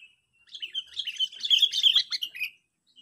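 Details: Lure call of a sooty-headed bulbul meant to intimidate rivals: a continuous, excited stream of bubbly, chattering notes for about two seconds, building in loudness and then fading.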